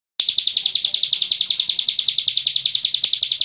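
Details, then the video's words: Hill prinia singing a long-breath song filled with cililin-style phrases: a rapid, even trill of high, sharp notes repeated about nine times a second without pause, with faint low background noise. "ciblek gunung isian cililin nafas panjang"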